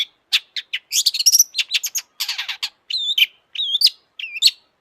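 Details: Long-tailed shrike, full of agitation as a lure for other shrikes: fast harsh chattering run, then three repeated wavering whistled phrases.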